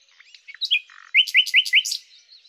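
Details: Short phrase of a common nightingale (Luscinia megarhynchos): soft warbling and a low buzzy note, then five loud, sharply rising whistled notes in quick even succession.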